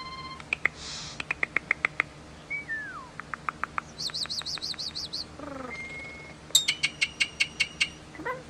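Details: Starling singing a long, varied song: bursts of sharp repeated clicks, a slurred falling whistle, a fast wavering high trill, a steady pure whistle, a run of descending buzzy notes, then more rapid clicks, over a faint low hum.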